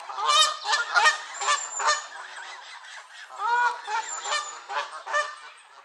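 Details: Several angry Canada geese in a gaggle at Elvaston Castle, 3 October 2015: loud, harsh, overlapping honks in rapid bursts, some rising and nasal, calling back and forth almost continuously through the clip.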